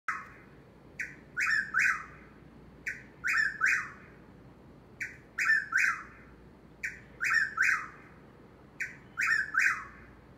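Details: Eastern whip-poor-will heard nearby in Corolla, North Carolina, repeating its three-part whistled phrase about every two seconds, each note sliding sharply, loud and clear over a quiet background.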